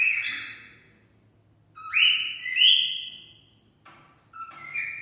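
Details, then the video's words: Mating-stimulating cockatiel song with a sharp opening note followed by two long upward-gliding whistles and softer short whistles at the end. "Cocktail stimulating sounds for mating"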